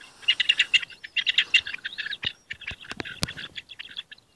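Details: Rock partridge singing in courtship in hunting district CN5, Italy: rapid clusters of harsh, chattering notes in quick bursts, then a looser stuttering run of sharper, clipped notes, with a few loud clicks and a quiet background.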